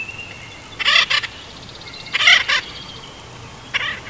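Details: Bald eagles at the nest in Big Bear at sunset, 28 May 2021, giving goodnight chortles: short bursts of rapid, squeaky staccato notes, three bursts about 1.3 seconds apart over steady background hiss.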